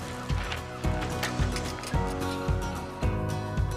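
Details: Rhythmic music with a steady beat about twice a second and sustained tonal chords, no animal voice heard.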